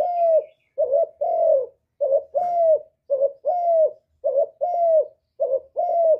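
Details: Hạp bổi style spotted dove song, part of a full sequence of calling, urging and cooing, recorded without background noise. Soft, hollow two-note coos repeat quickly and evenly, each short note followed by a longer falling one.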